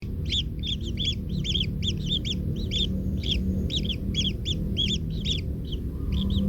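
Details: Kingfisher chicks in a nest, one trampled by its parent, give rapid harsh arched chirps, several per second and overlapping, over a steady low rumble of background noise.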